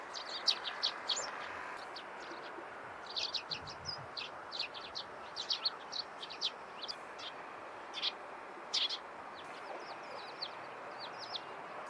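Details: Morning calls of Eurasian tree sparrows: clusters of sharp, high twittering chirps coming in loose groups every second or two, with a soft constant outdoor rumble beneath.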